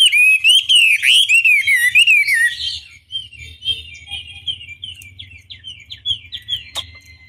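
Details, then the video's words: Chinese hwamei lure song aimed at drawing a response; loud slurred whistles and twittering for about three seconds, then fading into quieter, more distant chirps and short notes. "Pancingan Masteran Wambi Durasi Panjang Efektif Pancing Lwan Agar Nyaut Emosi Gacor"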